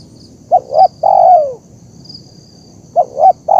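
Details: Terkukur, the zebra dove, calling as a lure: two short rising notes, a drawn-out coo that falls away, a pause, then the same opening notes resuming, with a thin high insect whine behind.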